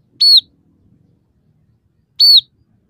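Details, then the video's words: Scaly-breasted munia in active song gives two loud, high, arched whistled notes, each briefly bent upward then falling, about two seconds apart in quiet surroundings. "suara burung emprit peking gacor dengan tiga variasi lagu"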